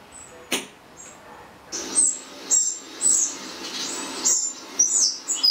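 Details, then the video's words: Wrens in a garden responding to playback of their own recorded song: after two brief broadband knocks, high thin chirps repeat roughly every half second, uneven in timing, over a low steady background hum. "Wrens and chicks reacting to a recording of their song"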